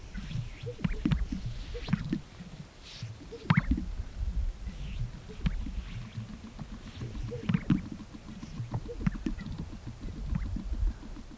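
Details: Greater Sage-Grouse males displaying at a snowy April morning lek in Colorado sagebrush desert. Hollow, low booms from inflated chest air sacs, sharp liquid pops every few seconds and soft swishes of wings raked against the chest ruff. Several males overlap against a rumbling background.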